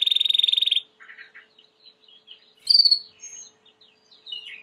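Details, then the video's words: A timbrado canary, possibly a white canary, sings as a training song: a fast metallic rattling trill, then softer scratchy notes, a bright rising burst and quick whistled phrases. "Chant de Canari timbrado / the wonderful sounds of canary bird chirping / canario timbrado cantando"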